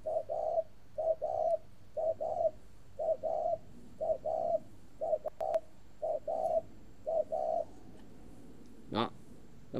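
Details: Spotted dove, a kept bird in northern Vietnam, giving a long cooing series: low two-part coos repeated about once a second, nine phrases in a row, followed by a short clatter and a person's voice.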